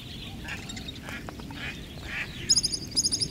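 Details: Pied kingfisher on Kinmen, where it is resident, a bird often in twos or threes near ponds, reservoirs and coasts. Bright, sharp, high chirps come in a quick run of harmonic-rich notes late on, over a busy background of other birdsong.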